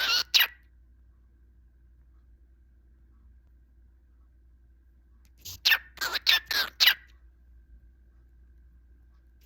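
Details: Close-up of a pet cockatiel kept at home, described as singing and chattering. It gives a short chirped call, a long pause, then a quick run of five bright, whistled chirps in about a second and a half. The room is otherwise quiet.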